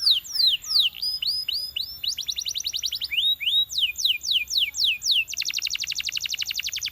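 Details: Belgian canary singing to encourage other canaries to sing: high slurred whistles falling in pitch, then rapid even trills, and a fast buzzy rattle-like trill near the end.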